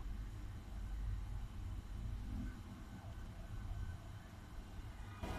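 Low, steady rumble of passing vehicles with a brief burst of hiss at the end, and no animal voice.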